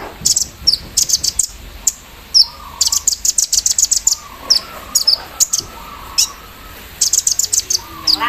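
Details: Morning song of a Javan sunbird after dewing, in embroidery-machine style: rapid high-pitched chirp volleys and short downslurred notes, pausing briefly between bursts, over soft background voices.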